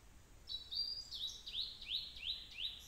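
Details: Blue-and-white flycatcher song in the heat: a quick run of bright, sweeping whistled notes, each sharply slurred, repeated about three times a second in a steady, ringing series over soft background noise.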